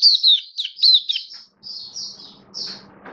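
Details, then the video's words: Caged Oriental white-eye, 27 October 2022, gives a few quick, high, bent chirps followed by softer, longer thin notes, with a low steady hum behind. "Mata Puteh Kitaro Buka Sing"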